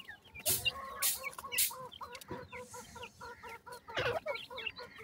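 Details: Summer francolin chicks, captive: a steady run of short stacked clucking notes repeated several times a second beneath scattered high peeps, with a few sharp noisy bursts.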